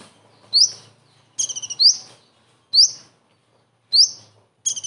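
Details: Common iora whose song is filled with imitations of the kingfisher: four piercing rising whistles spaced about a second apart, interrupted by two short stuttering rattles.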